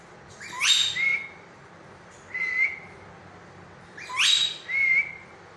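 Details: Green rose-ringed parakeet, a pet, vocalizing with loud sweeping whistles that rise sharply then hold a steady tone, each followed by a short level whistle, in two paired bursts separated by quiet; no other sounds.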